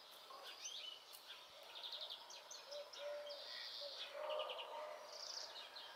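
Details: European greenfinch singing among a chorus of songbirds at a house in Greece, with short buzzy trills and twittering notes high up and lower warbled phrases from other birds overlapping throughout.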